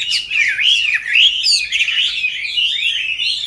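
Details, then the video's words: Short burst of song from a caged Chinese hwamei kept for five years since young: fluid, tumbling whistled phrases, looping up and down in quick succession. "Có những chú họa mi trong clip Q nuôi từ bổi sang năm thứ 5"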